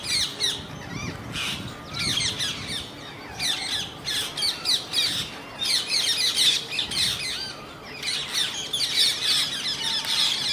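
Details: Mating Indian grey hornbills; rapid series of grating, rasping squawks, roughly four per second in uneven clusters, with brief quieter gaps and a low background hum.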